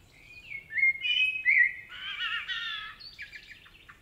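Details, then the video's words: A common blackbird in a forest in Spain sings a varied, warbling phrase of rich, slurred whistles and twittering notes, sliding between mid and high pitches, over a quiet background. "Common Blackbird Song & Calls - The sounds of a blackbird singing"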